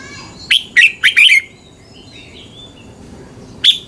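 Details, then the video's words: Red-whiskered bulbul song from Thailand, played to train or excite caged birds: one quick phrase of about five bright chirping, warbled notes, then quiet, with a short closing burst at the end. "เสียงนกกรงหัวจุก สำหรับต่อ หรือ เปิดให้นกคึก เสียงเพราะๆ"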